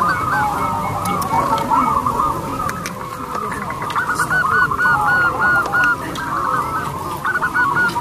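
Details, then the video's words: A local zebra dove gives its big, long, crystal-clear song, used to draw other birds: repeated bursts of fast rolling coos, some scattered clicks behind. "PERKUTUT CROSSING GACOR SUARA BESAR"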